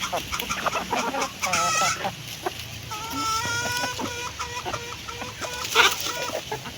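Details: Hens eating, with a drawn-out harmonic squawk followed by a run of even, tonal clucking notes in a steady series, plus pecking clicks.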